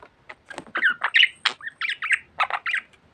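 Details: Talkative budgerigar at home, a quick series of short, scratchy chirps and squawky notes, roughly three a second.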